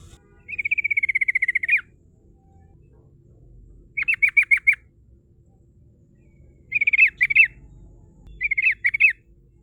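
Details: Sooty-headed bulbul singing a rolling "ngerol" song used as a lure to call rivals: a sustained buzzy trill of just over a second, then three short bursts of about five sharp notes each, spaced by quiet gaps.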